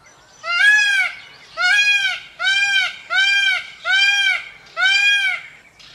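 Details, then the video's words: Peacock giving a string of six loud, ringing, slightly nasal wails, each rising then falling, spaced a little under a second apart, against near silence. "Peafowl bird peacock calls noise & sound"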